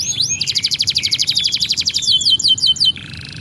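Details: Canary in full song, kept for training young canaries: rapid trills of sharp repeated notes high in pitch, a fast rolling series, then descending slurred chips and a buzzy closing trill.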